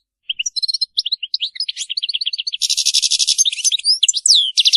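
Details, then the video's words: Goldfinch singing a Maliki-style song said to be without faults: quick liquid chips and slurred notes accelerate into a loud buzzing trill, ending with rapid swooping twitters. "تغريد الحسون المالكي خالي من أخطاء"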